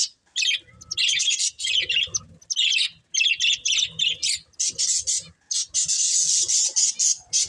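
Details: Pair of breeding budgies chirping and squawking: harsh, buzzy high chatter in bursts of roughly half a second, nearly nonstop, closing with a long, continuous scratchy warble.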